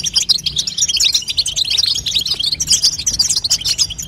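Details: Batbata of a female European goldfinch, intended to make a young goldfinch sing. Quick, high, liquid chirps repeat densely in a lively twitter throughout.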